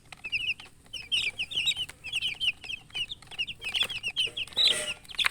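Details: Newly hatched chicks piping loudly in quick bursts, clear high chirps repeated several times a second, many birds calling together, with a scratchy noise near the end.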